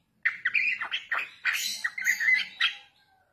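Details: Young Bali mynas in a lure recording: a run of harsh, squawky, chattering notes with short rising and falling slurs, about ten bursts in under three seconds, then silence.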